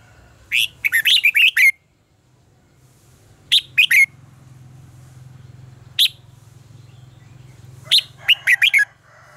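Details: Red-whiskered bulbul singing in contest style, meant to train and stimulate other birds: repeated bursts of four to six crisp, whistled notes with quieter gaps between them, over a steady low hum.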